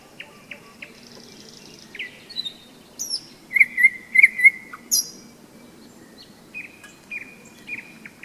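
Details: Nightingale singing on a May day in thunderstorm season beside the Seversky Donets river, at a hikers' rest stop: scattered whistles build into a run of bright repeated high notes, then sharp upward flicks and a fading stutter.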